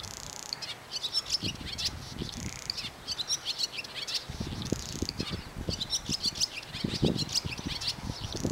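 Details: A pair of barn swallows perched on a power line and unbothered by the nearby camera sing in bursts of high, scratchy twittering and quick chirps, with low thumping from wind or handling underneath.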